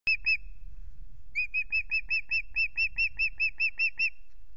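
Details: New male osprey at the nest in the evening sun, 17 April, Loch Garten: two sharp whistled notes, a pause, then a steady run of about fifteen piercing whistles, with a low rumble of wind beneath.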